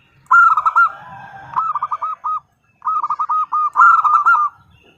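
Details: Female zebra dove calling to the male, delivering phrases of rapid, rounded coo notes, some rolled together into trills, separated by short silent gaps.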